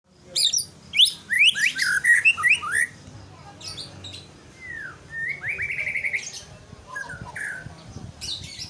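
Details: White-rumped shama (murai) singing varied phrases: rapid high chips, then rich slurred whistles and a trilled run, with pauses between bursts. A steady insect-like buzz hums in the background.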